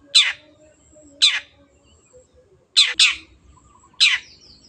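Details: Long-tailed shrike in a recording used as a lure to make birds sing: four harsh, raspy screeches, each sweeping steeply downward, about one second apart, one doubled near the end, over a faint low hum.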